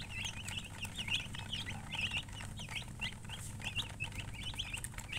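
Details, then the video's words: Baby chicks chirping: many high, quick peeps overlapping continuously, short downward-slurred chirps from several birds at once, over a steady low hum. "Baby "Chicks Chirping" Sound"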